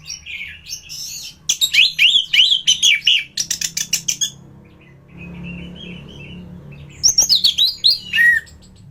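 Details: Tutor recording of an anis thrush in top form: strongly delivered, rapid, scratchy and whistled phrases run together, then a quieter whistle, then another loud burst with a falling note at the end.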